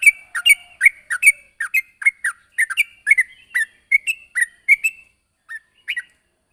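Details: Sooty-headed bulbul, vocal, calling out to a rival with a lively string of short chirps and paired notes that slows and thins out into a few last isolated calls.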